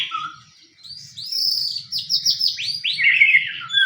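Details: White-rumped shama fighting song used to lure other shamas into singing: a soft low note, then a loud chain of high whistled phrases that swoop down one after another, with faint low rumble beneath.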